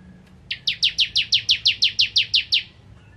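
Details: One steady volley of about twelve sharp, high, downward-slurred notes from a ciblek kristal, the bar-winged prinia, in gacor nembak ngentrok style, evenly paced and clear above a quiet background.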